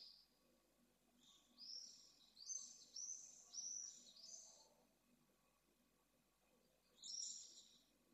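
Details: Pallid swift at a nest in Jerez de la Frontera, Esclavas de Jerez, as the female arrives: faint, distant, buzzy high screams run together for several seconds, then another short burst near the end, over a soft background hum.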